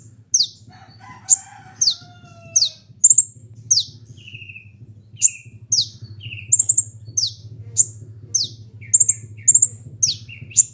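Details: Kolibri ninja sunbird with a strong voice, kept as a lure and tutor bird, giving sharp high chirps that fall in pitch, repeated roughly every half second, with a few lower drawn-out whistles and a steady low hum behind.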